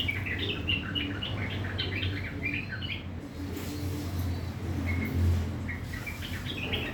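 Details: Rough, chattering morning song of a kept sooty-headed bulbul: about two seconds of rapid bubbly notes, a quiet gap, then scattered short chirps resuming, over a continuous low humming background.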